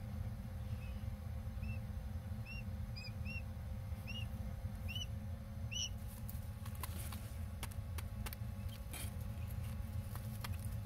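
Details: Three newly hatched Japanese quail chicks give a few thin, high, slightly arched peeps in small clusters over a steady low mechanical hum, followed by light tapping.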